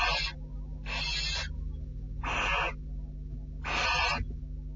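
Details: Barn owls on a nest camera, 6 July 2013 at 10:30, as the male visits and the female won't have him there. Four rasping hissed screeches, each about half a second long and evenly spaced, over a low mechanical hum.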